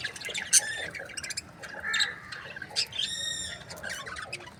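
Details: Breeding pairs of budgerigars chirping: scattered short high chirps and squawks, with a buzzy harmonic call near the third second, against a low background hum.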